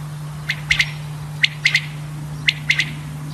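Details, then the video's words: Male common quail giving its call: crisp three-note phrases, a short note followed by two fast clipped notes, repeated roughly every second, loud and clear above a faint low hum. "quail sound male/quail sound effect video/ common quail male sound/quail sound video"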